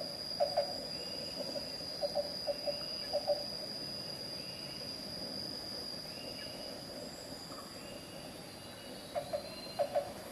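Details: Black-banded barbet (Takur Tulungtungpuk) at Carita, Banten, West Java: scattered bursts of hollow paired 'tuk' notes separated by pauses, alongside faint higher bird notes and a steady insect hum.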